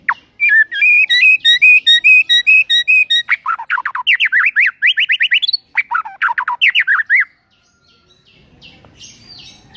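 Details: Loud white-rumped shama lure song for mornings, aimed at getting birds to sing, packed with filler: quick repeated trilled motifs, then rapid rising zigzag notes in two bursts, fading to quiet.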